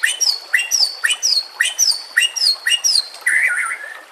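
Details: White-rumped shama song for training silent birds, over natural sounds and running water: repeated sharp downslurred whistles about twice a second, ending in a warbled lower phrase.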